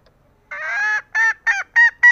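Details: Female green junglefowl calling, a sound said to lure males that are slow to call. After a quiet start, a long harsh harmonic note is followed by four short nasal honking notes in quick succession, with a clean, quiet background.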